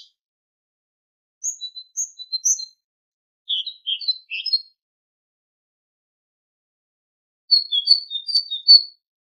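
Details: Tit singing, taken from a song-tutoring recording meant for goldfinches: three separate phrases of high, clipped whistles and twitters spaced by several seconds of silence, the last phrase the loudest.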